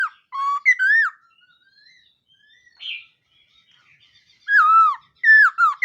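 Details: Laughingthrush singing in the morning voice-training style, giving loud, clear whistled notes that slide down and then up, in two bursts separated by a quiet gap with a soft trill in between.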